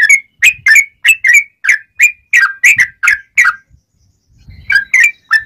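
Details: Sooty-headed bulbul song used as a lure for trapping wild birds, bright clear phrases: a rapid series of short whistled notes around two kilohertz, about a dozen in quick succession, a brief pause, then three more, with faint low rumbling beneath.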